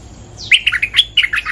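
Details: Bulbul guarding its territory, excited lure song: a dense, continuous stream of rapid liquid warbles and chattering notes, jumping between pitches with barely a gap.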